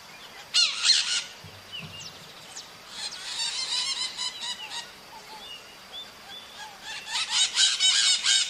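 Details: Maritaca parakeets in the wild: a sharp screech opens, then a dense chatter of overlapping harsh calls and squeals, closing with a loud run of grating squawks.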